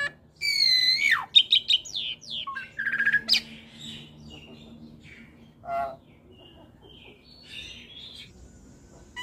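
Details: Mixed chattering song of a caged Asian pied starling × Nias hill myna hybrid for training birds: loud descending whistles and buzzy notes in the first three seconds, then softer scattered notes over a faint hum.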